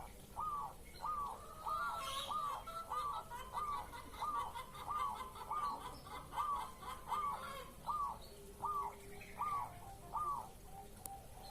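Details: Breeding-mood zebra dove cooing as a lure to draw replies: a long steady run of about fifteen short, rounded, mid-pitched coo notes, roughly one every three quarters of a second, with brief high bird twittering in the background.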